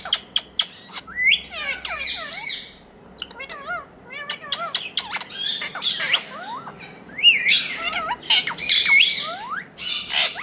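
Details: Pet talking parrots from India calling nonstop: dense overlapping squawks, looping whistles and bent chattering notes, several birds at once, with faint speech-like sounds mixed in.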